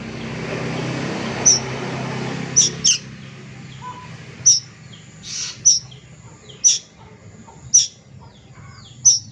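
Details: Young plaintive cuckoo repeating short, very high, sharp notes roughly once a second, some doubled, after a noisier opening; low hum underneath.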